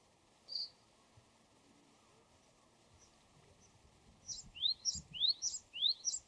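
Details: Wild Japanese tit: after a lone high note and a quiet stretch, four rising whistled phrases, each topped by a sharp high note, come in quick succession.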